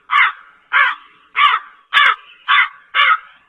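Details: Slender-billed crow repeating six rough, throaty caws at a brisk, fairly regular pace of about one every half second, with nothing else audible.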